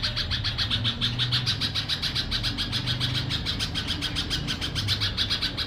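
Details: Red-vented bulbul chick giving rapid, high, scratchy chirps, about three or four each second, over a steady low indoor hum.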